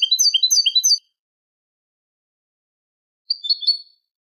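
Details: Eurasian goldfinch, Malaga-style tutoring song for young goldfinches and hybrids; a second of fast bright twittering, then after a pause a short buzzy twittered phrase.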